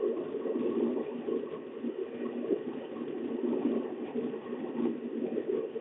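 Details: Muffled, low engine hum of a bus drifts through steady background noise at De Mortel, Netherlands, on 28 April 2024, without any animal voice.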